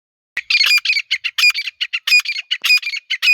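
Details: Female grey francolin (Irani/Dakhni teetar) calling, with a male also present: dense run of harsh, squawky notes repeated rapidly, about four per second, with sharp high clicks mixed in; no other sounds.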